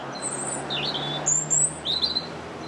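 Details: Robin singing in a March park on the 2nd: a looping, wavering whistle, then a very high thin note and a quick warbled flourish, over a low steady background hum.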